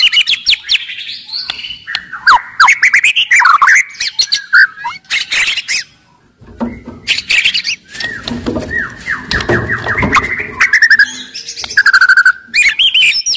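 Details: Aggressive, loud, lively white-rumped shama used as a lure to spur other shamas into singing and fighting: a rich, varied song of clear whistles, rapid chattering trills and sweeping slurred notes, with short pauses between bursts.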